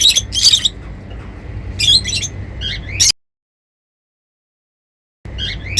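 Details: Happy lovebirds giving piercing high chirps in quick clusters, a sudden silent break in the middle, then a few more shrill notes at the end.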